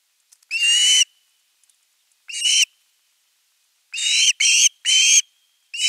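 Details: Osprey chick at a nest in Finland calling at length for fish before an adult brings a whole fish, recorded 10 August 2021; loud harsh screeching calls with rich harmonics, given in bursts of about half a second, several in quick succession.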